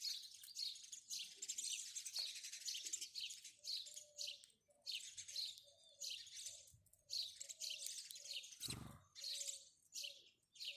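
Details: Repeated clusters of shrill, high chips from house sparrows, about two bursts a second, over a quiet steady background hum, with one short low knock late on.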